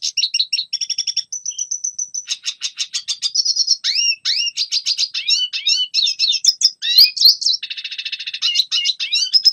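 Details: Red siskin singing, played to teach young birds: a varied run that opens with steady high whistled notes, then rising and falling twitters, upward-swept chirps and a brief buzzy trill, all high-pitched and continuous.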